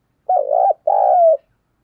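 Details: Decoy spotted dove calling to draw in wild doves: a two-part phrase, a wavering low coo followed by a longer steady hooting note that slides gently downward, then silence.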